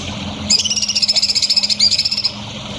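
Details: Songbird heard in a masteran recording for training young contest birds: a high, fast trill of pulsed notes with a few sharper upward accents. The trill runs about two seconds over faint low background noise.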